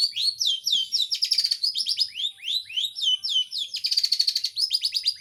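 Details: Cendet (long-tailed shrike) sings a loud, continuous medley of quick, swooping whistles and rattling trills, rich in imitated phrases. The notes come very rapidly, with a fast buzzy flourish near the end.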